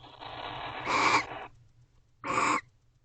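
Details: Barn owls in a nest box at 11:57 pm showing affection with varied vocalizations: a long, drawn-out hiss swelling into a louder screechy note, then a short separate rasping call.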